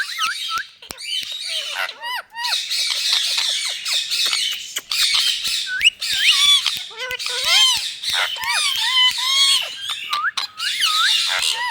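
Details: Indian ringneck parakeets in India give a steady stream of loud, harsh screeching squawks, many curving up or down in pitch, overlapping with hardly a pause.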